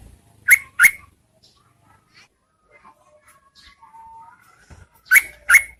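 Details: Female Yellow-vented Bulbul calling to attract males during the rainy season: a pair of strong, upslurred chirps, then a quiet stretch with a thin whistle, then another matching pair.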